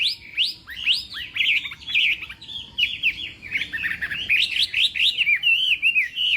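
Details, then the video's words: Chinese hwamei in contest-style singing during morning voice training: a dense, fast run of varied whistled slurs and rising and falling notes, some buzzy, delivered in quick bursts with barely a pause. "Hoạ Mi Hót Đấu /hoạ mi hót sáng luyện giọng kich bổi sổ giọng chim hót hay mỗi ngày/"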